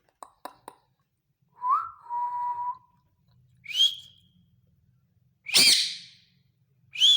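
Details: Male green ringneck parakeet that talks: three quick clicks, a lower stepped whistle, then a rising high whistle and a loud harsh screech, with a final whistled call.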